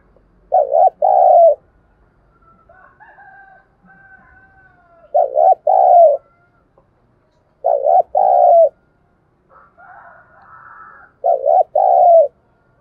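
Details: Four repeated lure coos of a spotted dove used to stimulate other birds, each a short hooked note then a longer falling coo, separated by faint higher twitters.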